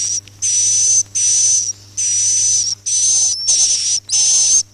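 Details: Lure recording for swiftlet farming, the roosting type known as 'suara inap Masal': harsh, hissy swiftlet rasps carrying a sharp high whistle, six drawn-out bursts separated by short gaps, with a faint constant low hum underneath.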